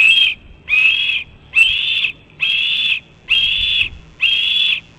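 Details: Red-tailed hawk nestling "#2" at the Cornell nest, 28 June 2012 around 12:24 pm EDT, sitting on the nest rail for hours begging for food: six thin, high, whistled notes, about half a second each, roughly once a second, over faint hum.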